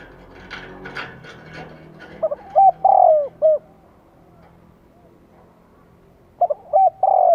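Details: Spotted dove calling in Vietnam as a lure for wild birds: a rustling, scratchy noise opens, then a low phrase of short coos around a long purring coo, with another phrase starting at the end.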